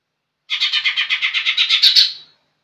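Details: Harsh, buzzy chattering from a young green leafbird, a rapid train of about a dozen rough notes, growing louder with a few sharp high squeaks near the end.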